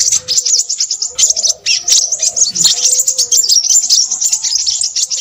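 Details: Crimson sunbird calling noisily: long run of rapid, very high, sharp chips and twittering trills at a fast steady rhythm, with short gaps, over a faint humming tone.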